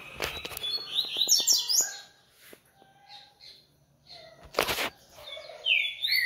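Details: Coleiro song phrases of quick twittering high notes, broken by loud clicking and knocking noises and a short rustling burst, with more whistled phrases at the end.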